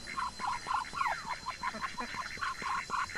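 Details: Muscovy ducks grazing in a garden; clear short quacks come about every quarter second, with one sliding higher note early on, all over a soft continuous hum.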